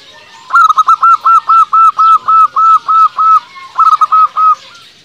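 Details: Local zebra dove in full voice, used as a lure so that rival doves answer and to stir up quiet or stressed doves: a rapid run of about a dozen short, hooked, honking notes, a brief pause, then a few more.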